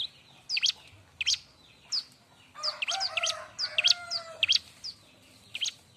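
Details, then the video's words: Bar-winged prinia in loud, busy, sharp song used to tutor and provoke young prinias: high chirped notes with dipping V-shaped strokes at irregular intervals, and a dense burst of overlapping chirps with lower whistled tones mid-clip. "suara r!but burung ciblek-cocok untuk masteran"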